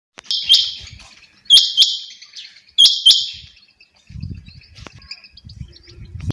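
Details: Female quail calling: three sharp, high double notes, each pair a quick clipped 'quip-quip' spaced about 1.3 seconds apart, followed by low rumbling background noise.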